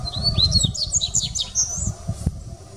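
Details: Dubois's seedeater recorded at the Sao Paulo Botanical Garden, Brazil, on 6 January 2019, delivering a loud, lively stream of high warbled twitters, slurred upsweeps and a drawn-out wavering whistle, with low rumbling noise beneath.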